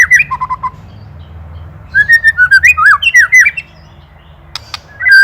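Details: Indonesian white-rumped shama, a master recording for teaching songbirds: a few short whistles, a pause, then a burst of swooping, slurred whistled notes, a quiet spell with two clicks, and a final loud note.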